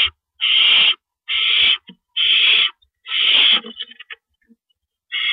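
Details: Owls at a nest around 4:30 AM on April 4, 2012, as rabbits are brought in: four steady, hoarse screeches, each about half a second, then a short stuttering rasp, a pause, and one more screech.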